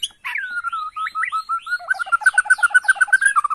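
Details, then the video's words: Bornean white-rumped shama responding to a lure recording with a sustained clear whistle, then a rapid run of repeated short notes, about two and a half per second. "PANCINGAN MURAI BORNEO EMOSI..!! HITUNGAN DETIK LANGSUNG NYAUT"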